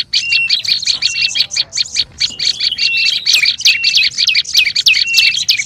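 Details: Busy olive-backed tailorbird chatter from a lure recording: fast, sharp twittering notes run without break, punctuated by short level whistles and some upward-bending squeaky notes toward the end.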